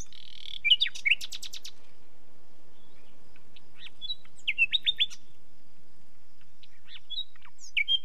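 A nightingale sings short, varied phrases of rich whistles and rapid repeated notes, separated by pauses of a couple of seconds, over a faint low background hum.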